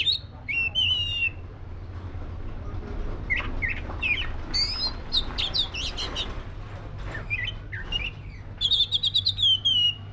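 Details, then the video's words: Black-breasted Oriental magpie-robin singing a busy medley of high whistles, chirps and buzzy notes, ending in a fast run of bright trilled notes; faint low hum behind. "SUARA BURUNG KACER (DADA HITAM)"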